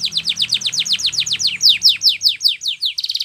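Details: Spanish Timbrado canary training song: a long series of loud downslurred whistled notes, about five per second, ending in a quick metallic trill; faint low hum beneath.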